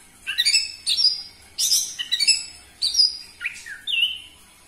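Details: Orange-headed thrush song for provoking captive birds to sing: about six short strong whistled phrases, each layered and ringing, ending with lower sliding whistles.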